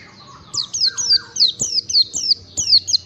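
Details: Oriental white-eye training song for caged birds: a short stream of sharp, high descending whistles, roughly eight notes, with softer lower chirps underneath at the start.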